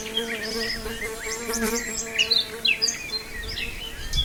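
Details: Nightingale heard in Brijeste: looping whistled notes and sharp chirps in quick succession, accompanied by a steady low hum throughout.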